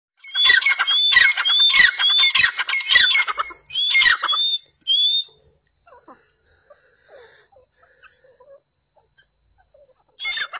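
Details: Sindhi black francolin: a burst of harsh, grating phrases with clear whistled notes, about six phrases in quick succession over four seconds, a fainter phrase near the end, and quiet rustling in between.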